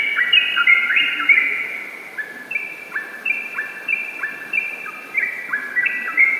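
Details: Chattering ropel song by a yellow-vented bulbul: a loud burst of overlapping upslurs, a short pause, then evenly spaced rising notes building into fast runs again.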